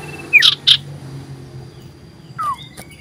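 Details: Common iora, called sirtu or cipoh, singing loudly while seeking a rival, 27 December 2022: two bright sharp notes, then a falling whistled slur after a pause, over low steady hum.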